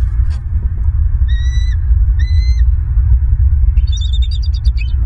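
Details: Bald eagles at a Southwest Florida nest, picked up by a nest camera on 14 January 2023 at 06:29 in the morning: two drawn-out whistled notes, then a rapid, high chittering series, all over a heavy low rumble.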